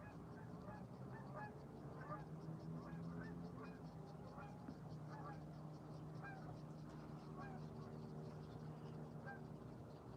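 Geese honk in the distance, short nasal calls repeated every second or so, under a person talking and a steady low hum.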